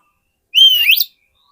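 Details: Oriental magpie-robin song phrase played to lure wild birds: one bright whistle held level, then sweeping upward into a rough ending, about half a second long, with silence around it.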